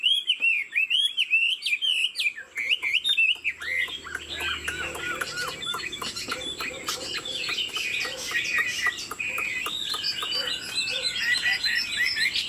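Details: A tame caged Chinese Hwamei opens with clear, looping whistled phrases. These turn into a dense, scratchy jumble of clicks and chattering notes, with a brief low rumble.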